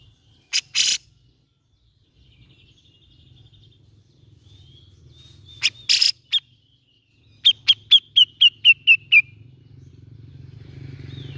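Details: Grey-cheeked bulbul lure recording, meant to get a reluctant bird singing. A harsh, scratchy burst opens, more rasping bursts follow, then a fast series of eight clipped chirps that drop slightly in pitch. A low hum runs underneath.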